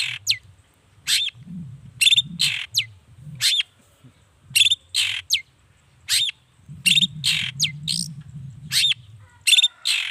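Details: Energetic long-tailed shrike song used to prompt other shrikes to reply, morning through evening; varied sharp notes and rasps, several ending in quick down-slurred whistles, delivered in irregular clusters over a soft low rumble.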